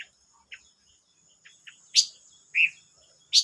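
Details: Silver-eared mesia, recorded 25 May 2022, giving sharp high chirps and short downward notes, with louder bright bursts near the end in a quiet setting.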